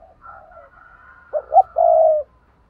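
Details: Spotted dove giving paired cooing: two short, clipped coos followed by one long, steady drawn-out coo, all low and soft, with a faint higher hum running beneath and no other birds heard.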